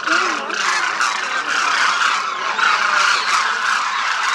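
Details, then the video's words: Demoiselle cranes, a large group flying in formation over a Rajasthan village, India. A dense, continuous chorus of overlapping crooning calls merges into a steady rasping wash, with a few lower notes early on. "Demoiselle Cranes croon"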